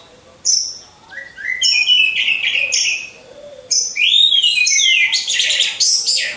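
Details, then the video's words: Hanging caged orange-headed thrush used as a trigger singer: scattered high whistles, then dense bursts of rapid twittering and slurred whistled notes, loud and varied, over a faint low hum. "Pancingan Burung Anis Merah"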